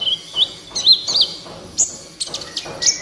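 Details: Van Hasselt's sunbird, gacor master song: a few high wavering whistles rising in pitch, then shrill squeaks, spaced by brief gaps.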